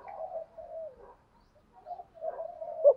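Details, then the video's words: Spotted dove cooing in the thúc gù style, used to lure wild doves: a moderately loud, low, wavering coo run, a short pause, then another drawn-out coo sequence ending on an accented note. "chim cu gáy thúc gù bài bản bổi nghe nhanh về"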